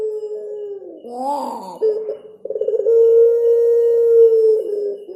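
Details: Puter pelung collared dove cooing with its cengkok: a wavering, moaning phrase, then a pulsed stutter opening into a long, steady, deep hum held for nearly two seconds before dropping away.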